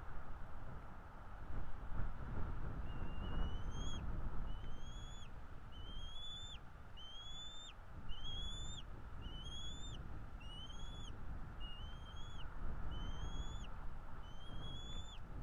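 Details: Bald eagle at a nest in North East Florida, picked up by a nest camera on 16 February 2022 around 9:30 in the morning: a series of thin, rising whistled notes, roughly one every second, over a steady low rumble of wind.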